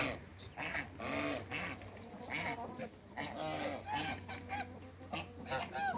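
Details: Hybrid Cayuga–Mallard ducks with other waterbirds in a backyard give repeated harsh, nasal quacks and honks, several birds calling over one another in quick bursts.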